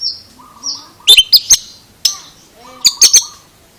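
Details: Oriental magpie-robin with a strange voice: short high whistles, then a rapid run of sharp chirps, a lone click, and another burst of ringing chirps, over faint low tones.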